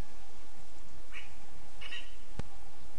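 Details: ['Lesser spotted eagle chick in its nest in a spruce, Zemgale, Latvia, 15 August 2024: two short, high, slightly rising calls about half a second apart over steady background hiss, with a sharp click near the end.']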